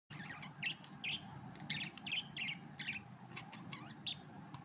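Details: Red-eyed budgerigars calling: quick, high chirps and squeaky twitters repeated in irregular bursts about twice a second, over a steady low background hum.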